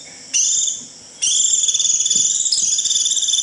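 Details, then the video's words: White-eye calling its flock with the 'rít' call: one short high buzzy burst, then a long continuous trilled note that slightly shifts pitch near its end. "Tiếng chim vành khuyên rít √ siêu gọi bầy cực kỳ nhậy gọi là về"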